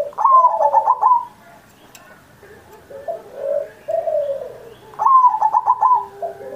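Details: Perkutut (zebra dove) singing gacor as a training master for birds not yet singing well, Indonesia, Independence Day. Two loud bursts of quick stuttered coos frame a run of lower, softer sliding coos.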